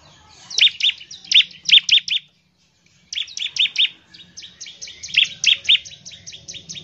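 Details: Bar-winged prinia in vigorous song, aimed at stirring other prinias to sing: clipped high chirps in groups, a clear gap, then a long fading series of repeated notes.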